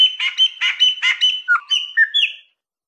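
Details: Chopi blackbird singing in the Mineiro wild (mateiro) style: a rapid series of buzzy, harsh notes followed by clear whistled slurs, some falling and some rising, with no other sounds.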